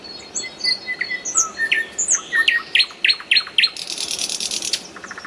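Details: Song of a nightingale, varied whistled notes and slurs leading into a run of sharp repeated downstrokes, ending in a dense high buzzy trill and faint quick ticks.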